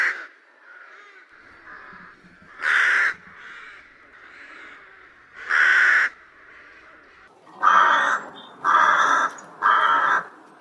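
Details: Rook calling, with soft distant cawing early on, then five loud, rough, grating caws spaced roughly one to three seconds apart.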